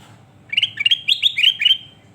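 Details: Sooty-headed bulbul, recorded for bird training, giving a cheerful phrase of six bubbly upward-slurred whistles in quick succession, evenly spaced, with a faint low rumble behind.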